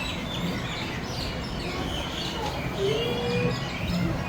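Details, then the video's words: Chirping birds give thin, high chirps and short twittering notes scattered through the recording over a steady low background rumble. A brief low tonal hum sounds near the end. "THE CHIRPING BIRDS"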